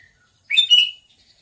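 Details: Single short burst from a sooty-headed bulbul: two rapid, slurred chirps run together into a bright, bubbly phrase under one second long, then silence.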